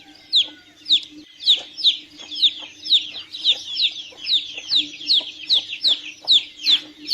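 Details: Several chicks peep at once, their bright downward-sliding cheeps overlapping in a busy, uneven stream, with a faint steady hum below.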